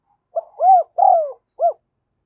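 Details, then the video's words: Decoy spotted dove calling to lure wild doves back to the perch: four soft, hollow, mid-pitched coos, the middle two longer and arched, over about one and a half seconds in otherwise quiet surroundings. "Chim Cu Mồi Thúc Và Gáy Gọi Bổi Nhanh Về Cội"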